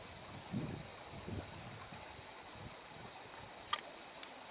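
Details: Female Downy Woodpecker pecking, filmed in Pelham on January 30, 2025; about six sharp, dry taps at uneven spacing over four seconds, one louder knock near the end, with soft low rustling early on.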